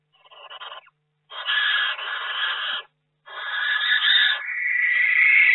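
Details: Barn owl inside a nest box in May, where a second egg has hatched; long, harsh, breathy screeches of over a second each, separated by short silences, the last rising into a more tonal shriek.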